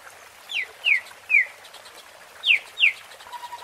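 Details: White-rumped shama giving clear whistled notes that each slide sharply downward, spaced irregularly in pairs, over a soft background hiss.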